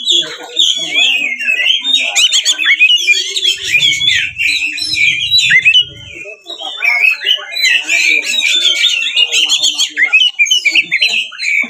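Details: Magpie-robin in aggressive song used as a lure to excite rival kacer: twisting whistled phrases with raspy trills and squeaks, continuous, low rumbling noise briefly around the middle.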